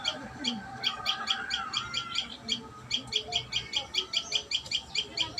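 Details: High, bright chirps of a common tailorbird at its nest come in quick pairs and runs, a few per second, over faint lower twittering and hum.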